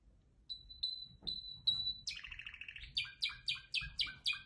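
A canary sings: four clear high whistled notes, then a rapid buzzy trill, followed by a quick series of bright, repeated chirping phrases.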